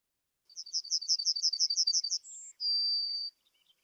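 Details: Yellowhammer song, remembered as "a little bit of bread and no cheese": a fast run of about a dozen high, dry notes, a brief higher note, then a long drawn-out final note; often sung from hedge-tops, bushes or lamp posts.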